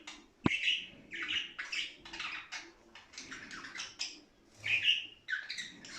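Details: Budgerigars warbling, played to excite birds toward mating; short scratchy phrases and chirps in bursts, with one sharp click near the start.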